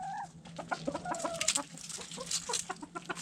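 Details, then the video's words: Backyard chickens, hens and roosters, feeding on food scraps; a busy mix of short clucks and chattering notes from several birds overlapping, with sharp pecking and scratching clicks throughout and a steady low hum beneath. "Hens Clucking Roosters Crowing"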